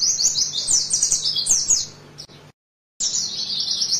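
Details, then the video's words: Tutor recording of an oriental white-eye in 'nembak' style for training birds: high rapid twittering sweeps, a brief half-second dropout of silence midway, then the fast chattering song resumes. "Masteran Pleci nembak bahaya"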